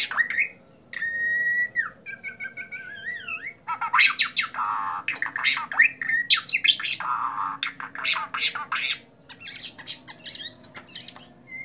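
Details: White-rumped shama in bowing display, singing clear sliding whistles that give way to loud, varied bursts of sharp chips and rattles.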